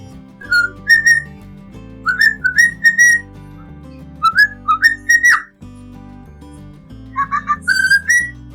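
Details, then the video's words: A cockatiel whistles the tune 'La Cucaracha' in clear, rising phrases of three to four notes, pausing between bursts, over soft background music. "cacatúa ninfa cantando la cucaracha"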